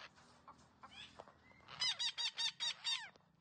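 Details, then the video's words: Green parrot starting with soft slurred notes and a brief whistle, then breaking into six loud, evenly spaced harsh squawks. "Green parrot talking sounds"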